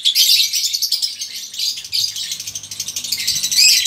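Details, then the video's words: Konslet lovebird colony of both sexes in ngekek chatter, used as a prompt for other lovebirds: harsh, high, rapid twittering in surging waves, with a low background hum. "pancingan lb konslet ngekek,lb betina konslet & lb jantan konslet bahan ngekek koloni"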